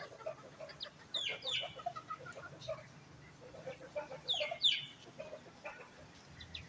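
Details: A flock of bantam chickens hurrying together when fed at a composite workshop in Bandung, Indonesia, giving rapid soft clucks and two clusters of shrill, falling squeals, over a faint background hum.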